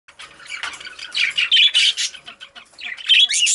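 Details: Female budgerigar, a pet parakeet, chirping: bursts of bright, scratchy warbles and squeaky notes, with louder trilled phrases toward the end and brief pauses between them.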